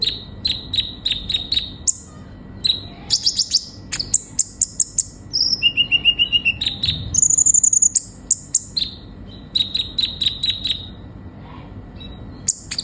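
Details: Long, varied sunbird song mixing rapid high chirp series, brief rattles, thin whistles and pauses, the phrases changing pitch every few seconds.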